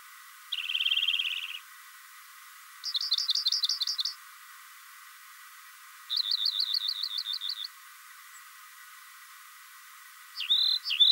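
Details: Rock wren singing a series of distinct trilled phrases separated by pauses of about a second: a buzzy low trill, then a higher rapid rattle, then a slightly lower chattering trill, with a fresh phrase starting at the end.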